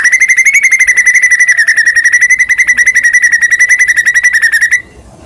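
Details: A white-rumped shama, a caged bird singing vigorously and ready for song contest, delivers one long, loud, rapid trill of even notes at a steady pitch, lasting nearly five seconds before stopping abruptly.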